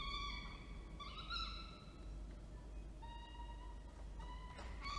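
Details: Falcons at Orange, New South Wales, 19 October 2024, male delivering food and female feeding; fainter, flat harmonic wails come in short spaced notes against a noisy low rumble, with a sharp click near the end.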